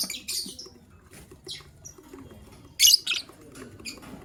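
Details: Lovebirds in the morning, gray and yellow-green, the gray one ready to lay eggs, give quick bright high chirps and tweets in a busy scatter, one louder harsh squeak mid-sequence.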